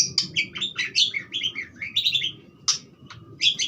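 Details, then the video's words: Budgerigar pouring out a fast, twittering warble of squeaky, slurred and buzzy notes, broken by a brief pause and a sharp harsh squawk. "suara burung parkit joss"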